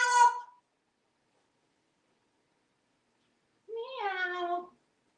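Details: Talking pet parrot hatched in 1997, living in Texas and wearing a collar, gives two drawn-out, cat-like meows. The first is short and high. The second is longer, slurred and bending, with a gap of about three seconds between them, indoors.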